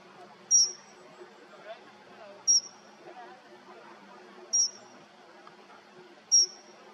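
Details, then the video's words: A dunnock (Prunella modularis) gives four thin, high, piercing tseep calls, each very brief and spaced about two seconds apart, over a faint low background hum. "Brumarita de padure, Prunella modularis, call"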